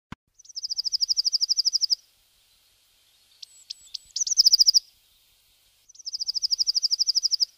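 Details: Eurasian blue tit, recorded 10 March 2018: high, thin, descending whistles, then a fast, even trill lasting about a second and a half. The trill comes three times, with quiet gaps between.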